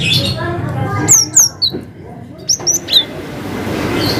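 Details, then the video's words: Cinereous tit, a gacor singer of long 'wucit' phrases with 'ngalas' variation: scattered high, downward-sweeping whistles in two small clusters, separated by a pause, amid steady background hiss. "GELATIK BATU GACOR WUCIT PANJANG ngalas Variasi"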